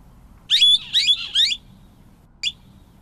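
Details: Scimitar-billed woodcreeper (Drymornis bridgesii) close by: three loud, sharp, slurred chirping phrases in quick succession, followed a second later by a single brief high note, with little background noise.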